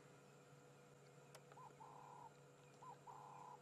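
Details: A Ring-necked Dove coos at sunset on an African safari on 18 August 2016: a short rising note and then a longer, even coo, given twice in quick succession, with a faint background hum and a click.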